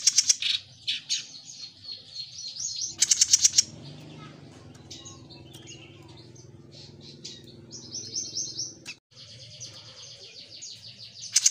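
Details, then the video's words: Singing Jenggot mini: rapid high twittering phrases and buzzy bursts at the start and end, with quieter scratchy notes and a low background drone between them. "Suara Burung JENGGOT MINI Gacor‼️"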